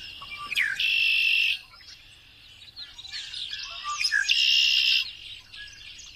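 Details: A Red-winged Blackbird at Horsebarn Hill, an area of open fields and sparse tree clumps on the UConn campus, gives two gurgling konk-la-ree phrases about three seconds apart, each ending in a loud, high, buzzy trill, with softer chatter between.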